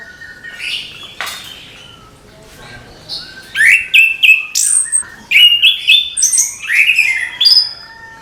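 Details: Morning singing of an orange-headed thrush, a few soft whistles followed by a lively, rapid sequence of loud high chips and sliding whistled notes.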